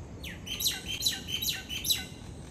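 A common myna gives four harsh, rasping squawks about every half second, each a scratchy downward-sliding note with bright upper overtones.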